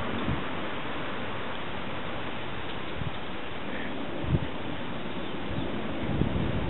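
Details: Steady broadband hiss like rain or wind, with a few soft low thumps and no animal voice.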